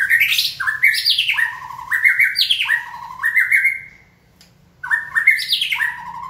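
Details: White-rumped shama trained to sing on a person's signal: loud, rich phrases of cascading, stepped whistles with bright upper notes, repeated in three long runs, then a pause before another phrase begins.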